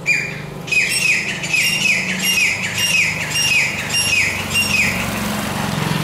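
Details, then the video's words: A grey francolin (teetar) calls to its mate with loud, shrill whistled notes repeated about twice a second, over a low rumble of distant traffic. "Teetar Bird(Grey francolin)Calling His Mate"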